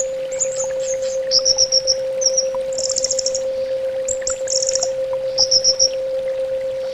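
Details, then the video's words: Orange-headed thrush song used as therapy audio for birds: bright high trills and rapid chattering notes in quick bursts, alternating with softer faint twitters, with a steady background hum throughout. "SUARA TERAPI BURUNG ANIS BATA"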